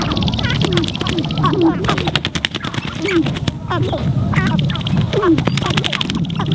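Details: Spring lek of sharp-tailed grouse in Montana recorded from a blind: rapid dry clicking rattles and sharp taps mixed with cackling yelps and short rising notes, wind rumbling low throughout.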